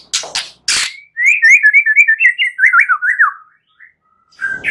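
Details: Two harsh noisy bursts, then a long rapid chain of zigzag whistled notes descending slightly, from a night-time white-rumped shama song meant to get a bird singing.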